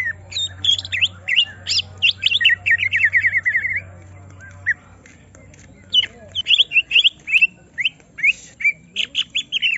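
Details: Greater green leafbird, agitated after being provoked so it unloads its full song: rapid bursts of sharp chirps and squeaky trilled phrases, with a fast rattling run near the middle, over a steady low hum and a pause before renewed chirping.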